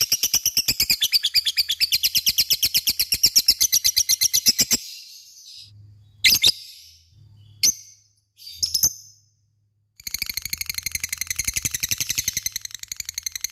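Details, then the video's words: Lovebird giving ngekek chatter to stir other lovebirds into calling back: extended bursts of rapid shrill notes, a gap with a few isolated squeaks, then the fast chattering returns. "Pancingan LOVE BIRD gacor ngekek,mudah di respon lawan"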